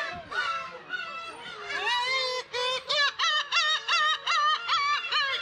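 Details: Close Black-tailed gull at a June breeding colony on Kabushima, Hachinohe, Japan, recorded with a GoPro HERO8; drawn-out mewing cries give way to a rhythmic run of about eight sharp, evenly spaced yelping calls.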